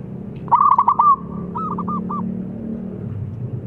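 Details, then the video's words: Local zebra dove in active, full-voiced song used to lure other birds into singing: a quick stutter of bright cooing notes, then a pause and two or three separate rounded coos, over a low steady background hum. "Perkutut Lokal Gacor Suara Besar Memancing"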